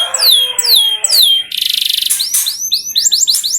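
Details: Canary song played as a lure to get canaries singing quickly: repeated descending whistled sweeps, then a dense buzzy trill, then a run of short rising chirps.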